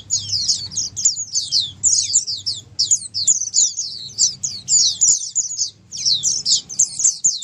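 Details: Crowded chorus of Oriental white-eyes for prompting a stalled white-eye to answer; piercing high twitters delivered in clustered bursts of several quick notes, separated by brief breaks, over a soft low hum.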